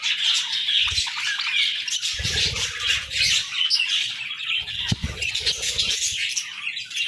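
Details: Budgerigars chirping in the morning, a dense continuous chatter of high, scratchy warbles and squawks from several birds, with occasional low thumps or wing flutters.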